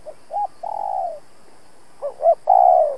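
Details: Decoy spotted dove challenging rivals: a soft short note and a long, gently falling coo, then a louder phrase of two rising notes ending in a drawn-out, hoarse, descending coo.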